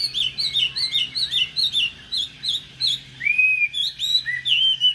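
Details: A captive Chinese hwamei with golden-yellow legs and bill, a former 2019 competition top-10 bird, singing a rich, fast run of varied whistled phrases, repeated notes rolling into longer slurred whistles.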